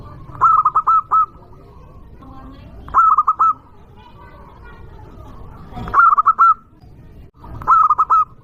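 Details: Local zebra dove with a strong voice, used to provoke rivals, repeating four evenly spaced phrases of stuttering tonal notes that end in a sustained coo, roughly every two to three seconds, over light background noise.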